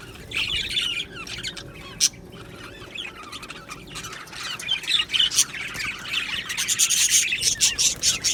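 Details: Budgerigar colony chirping, described as happy budgies; uneven high chatter with scratchy warbles and squawks, quieter in the middle and building into a dense, rapid run of chirps near the end.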